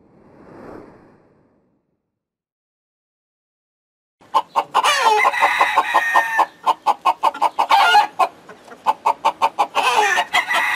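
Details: Farmyard chickens: a faint soft sound, a pause, then loud rapid clucking and cackling in quick repeated notes that continue busily to the end.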